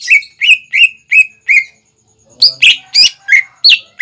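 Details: Captive greater green leafbird song meant for young birds to imitate: five evenly spaced clear whistled notes, a short pause, then louder, more complex slurred notes with faint low rustling.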